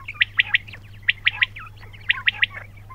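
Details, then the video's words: Quails giving crisp three-note calls, each triplet quick and bright, repeated about once a second, with softer chirps between and a constant low hum underneath. "بٹیروں کی آواز"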